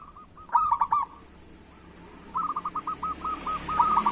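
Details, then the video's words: Zebra dove, local type, cooing to coax other doves into song. One loud stuttered phrase of quick notes is followed, after a quiet gap, by a rapid run of evenly repeated coo notes that grows louder toward the end. "Perkutut Lokal Gacor Suara Pancingan Burung Perkutut Paling Cepat Bunyi"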